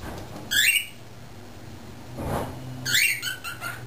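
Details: Pet cockatiel, a male under a year old developing verbal skills, caged while people work in the driveway; two bursts of buzzy descending calls separated by a dull thump.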